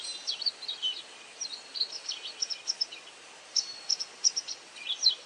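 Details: White wagtail calling while feeding on insects: short, sharp high chirps in loose bursts, some with faint buzzy tails, spaced irregularly over a soft background hiss.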